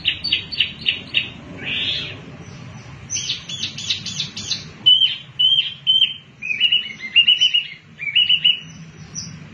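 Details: A wambi mini, used as a lure sound, sings in fast, high bursts: buzzy chattering phrases first, then a run of clear, sharp whistled notes repeated about every half second.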